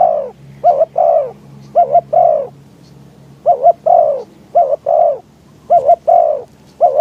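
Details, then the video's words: Trapping with a decoy spotted dove calling to draw in wild doves, windy conditions. Repeated phrases of a clipped double coo and a longer soft falling coo, some close together, others after a short pause. "ต่อนกเขาใหญ่ ต่อเพนียด"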